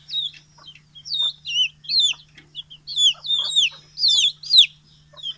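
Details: Small and large chickens fed after being let out of the coop one morning, 6 October 2018, Betbari, Fulbaria, Mymensingh; clear high peeps in pulses about every half second, sliding downward, over a quiet background.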